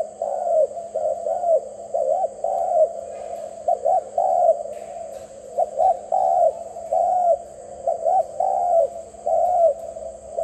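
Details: Dove cooing steadily: low, soft arched coo notes in short groups, repeated throughout with brief pauses, over a faint constant hum.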